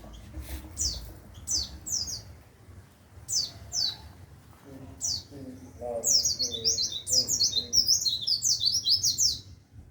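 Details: White-eye tutor song for training songbirds: sharp high downslurred notes repeated about every second, then from six seconds a rapid, dense run of high warbled chirps, over a low rumbling background.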